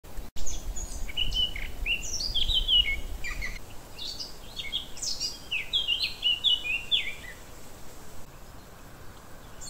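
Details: Eurasian blackcap recorded at Correns on 9 July 2021: two quick bursts of varied warbling, sharp chirps mixed with short whistled slurs, each phrase lasting a few seconds with a brief pause between, over a steady low rumbling background.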